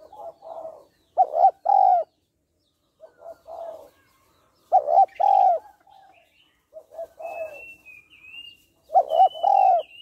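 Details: Female spotted dove cooing to excite males; loud double-then-long coo phrases alternate with softer murmured coos, and a thin high whistle from another bird comes near the end.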